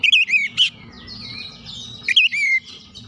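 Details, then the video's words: Oriental magpie-robin lure song to provoke reluctant magpie-robins into singing; a brief burst of twisting whistled notes with a harsh note, a lingering thin buzzy tone over low rumble, then another short slurred whistle. "PANCINGAN KACER CEPAT EMOSI 100% KACER MACET MALAS BUNYI CEPAT GACOR"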